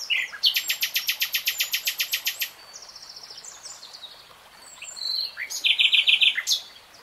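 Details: Nightingale song: a long series of about fifteen loud, rapid repeated notes, a quieter passage of softer twitters, then another fast rattling run, with a stream flowing in the background.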